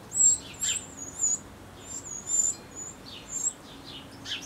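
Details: Eurasian wren chicks begging while adults feed them at the nest in their last feedings before fledging; thin high wavering squeaks near the top of hearing, with sharp chirps in bursts about every second.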